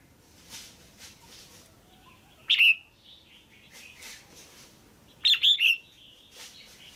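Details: Female red-whiskered bulbul, a cage bird, calling to stimulate a male or for pairing: two loud, sharp three-note bursts, rising then dropping, about three seconds apart, with faint softer chirps from other birds between.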